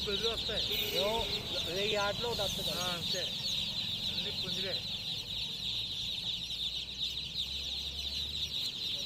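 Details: Many chicken chicks keep up a high, shrill cheeping chorus while men talk loudly over it in the first half, voices fading later, with a low engine-like hum near the end.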